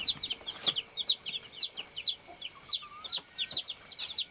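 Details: Baby chicks on a farm chirping: many overlapping high, thin peeps in quick succession, some rising and some falling, with a steady faint high hum behind them.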